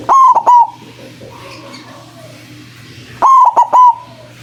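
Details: Loud call of a white zebra dove, played as bait to draw wild doves: two phrases about three seconds apart, each a ringing first note followed by two short clipped coos, with quiet hum between.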